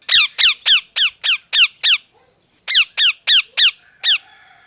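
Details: Molting pet parrot calling in a small room: two rapid series of loud harsh descending squawks, seven then five, separated by a brief pause, with faint room hum.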